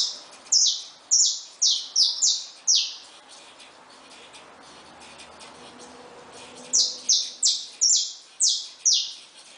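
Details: Lively song from caged saffron finches with newborn chicks: an opening run of six high, falling notes, a quiet stretch of about four seconds, then a closing run of six matching notes.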